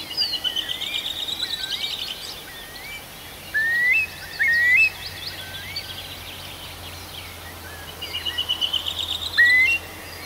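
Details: Birds singing in a forest at night in June, Arkhangelsk region: high rattling trills alternating with short rising whistled notes, over a steady background hiss.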